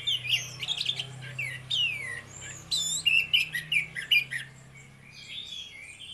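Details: Ngeplong singing from a pair of orange-headed thrushes: quick sweeping whistles and sharp chipping notes in an irregular stream over a steady low electrical-sounding hum that fades midway.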